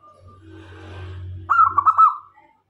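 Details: Zebra dove of local stock, a vocal decoy for attracting doves: after a second of low hum and murmur, a single fast rippling coo phrase with a sliding finish.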